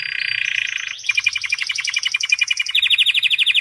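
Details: White canary singing: a loud buzzy trill of rapid notes, then a quick rattling series of repeated chips, ending in a bright, fast run of rolling notes, all high-pitched and continuous.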